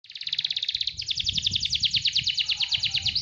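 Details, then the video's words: AFS canary, described as a prolific singer (gacor), delivers a fast, dry trill of repeated high notes that tightens into a quicker, denser rattle after about one second and runs on steadily, with a faint low hum underneath. "Suara burung kenari afs gacor"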